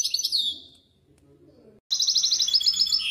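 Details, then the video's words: Misto hybrid canary singing for young birds to learn, a short high trill fading into a pause, followed by a rapid run of crisp repeated notes. "شريط طائر الميستو الهجين للتحفيظ الفراخ"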